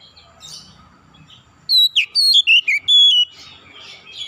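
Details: Oriental magpie-robin calling with one loud phrase of six or seven clear whistled notes, each bending downward in steps, after a quiet stretch of faint distant chirps and low hum.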